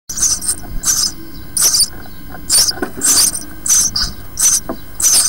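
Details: Four house sparrow chicks, six days old, in a nest box, their skin darkening as feather quills appear: bursts of thin, very high, hissing chirps, about eight bursts in five seconds, with soft low rustling between them.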